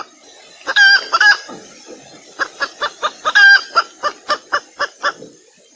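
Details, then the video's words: Red junglefowl hen from Sumatra used as a lure: loud ringing squawks and a string of evenly spaced clucks over a low background hiss. "SUARA PEMIKAT TERBAIK AYAM HUTAN BETINA SUMATERA"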